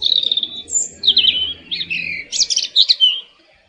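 A robin sings a quick run of high, warbling phrases with short sweeping and trilled notes. A faint low hum sits underneath.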